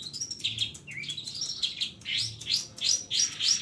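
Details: Long-tailed shrike, locally called cendet or pentet, giving lively master song full of fill-ins: quick high twittering notes and sharp rising whistles repeated about three times a second, with faint low background hum.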